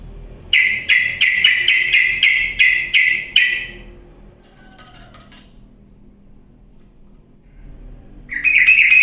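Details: Sooty-headed bulbul heard on a lure recording meant to rouse lazy birds into loud, energetic singing: a run of about nine harsh, buzzy pulses, roughly three per second, then a hush and a fresh burst at the end.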